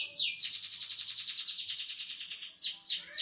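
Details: Small standard canary singing a cililin-style variation: a loud, rapid buzzy trill held for about two seconds, followed by three sharp descending whistled sweeps.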